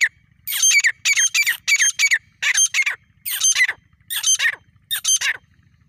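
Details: Grey francolin calling in jungle: loud harsh grating notes in seven bursts of rapid clustered syllables, one burst roughly every 0.7 seconds, with a faint low hum underneath.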